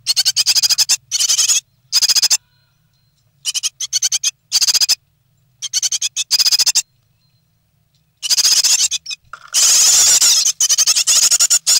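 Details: Three great tit chicks in the nest, 9 May 2017, close to fledging. Short bursts of thin, high rattling squeaks alternate with quiet gaps, then a long shrill hissing outburst near the end.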